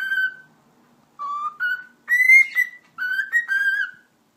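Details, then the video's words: Pet cockatiel at home performing a whistling show after talking; pure, tuneful whistles step between low and high notes in quick pairs, with one longer rising-falling note and a closing run of linked tones. "Sultan Papağanı Konuşması - Eşek Sıpası Diyor"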